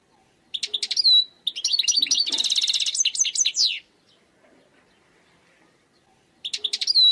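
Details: European goldfinch, described as a wild bird, singing: rapid twittering phrases of high, liquid notes, a dense buzzy trill near the middle, then a pause of almost three seconds before another burst of twitters. Background otherwise quiet.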